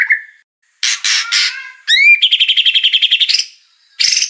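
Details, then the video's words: Oriental magpie-robin in a 2021 training recording: a low whistle, three harsh rasping notes, a rising upslurred whistle, then a quick rattling trill of clipped notes and a closing buzzy burst. "MASTERAN MATERI MEWAH MURAI JUARA"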